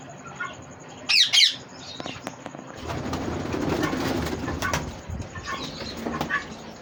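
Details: Green ringneck parrot giving two quick harsh, shrill screeches about a second in, then quieter faint chirps over a rumbling background of low noise.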